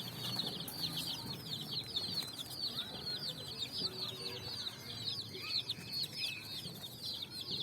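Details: Group of colour-dyed chicks on sand in evening sunlight, seeking food; bright, rapid, overlapping cheeps fill the clip, with a couple of lower peeps and faint rustling.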